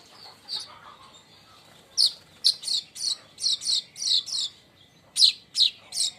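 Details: Baya weaver crecetan chatter, used to lure and teach other birds, with bursts of paired high, buzzy chirps at a rapid, uneven pace, separated by short pauses.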